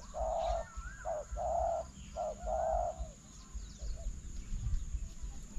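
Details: Spotted dove calling toward a decoy during a bird-trapping session with a newly built trap; soft, mellow coos in three drawn-out phrases with short lower notes between, over a steady low rumble and a faint high continuous tone.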